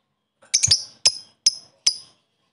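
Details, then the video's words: Lovebird koek calling, meant to summon a rival and stir up other lovebirds: four sharp, high, metallic chips, the first a quick stuttered cluster, then single notes spaced about half a second apart. "Lovebird koek memanggil lawan di iringi ngekek mantap untuk menaikkan emosi lobet lain"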